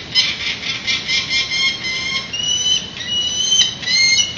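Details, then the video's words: Peregrine falcon parents flying, landing and taking off from a nest ledge in San Francisco shortly after their three chicks were banded, 19 April 2018, 11 am. Harsh, rapid repeated cacking notes run continuously, with a few longer thin squealing calls. "Post-banding flying and cacking"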